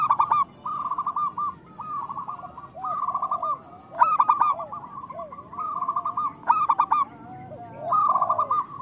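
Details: Zebra doves of local stock singing, used as a calling track so other doves start to sing. Repeated phrases of fast, bright staccato coos with purring trills, overlapping from more than one bird, low slurred coos underneath.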